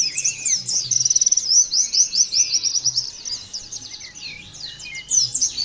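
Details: Pleci, the Oriental white-eye, giving the loud 'nembak' song, a style birds are meant to copy: rapid, very high-pitched chirps in a continuous tumbling stream with a quick rattling trill near the start, softening later. A faint background hum is present.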